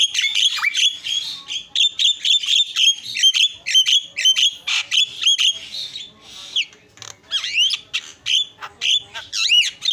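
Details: Javan myna song used as a tutor recording for cage birds: dense chattering of quick whistles, clicks and rasping notes at a steady high pitch, with a swooping whistle near the end.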